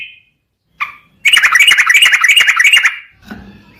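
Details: Song of a yellow-vented bulbul, meant as a lure to set other birds singing. A brief note and a sharp call lead into a continuous, rapid, bright chattering burst about two seconds long, followed by a faint low rustle.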